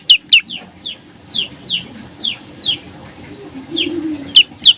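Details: Olive-backed tailorbird, sung in the 'nembak rapet' style: spaced, high, downslurred whistled notes roughly every third of a second, with louder sharp chips at the start and end over a low murmuring background.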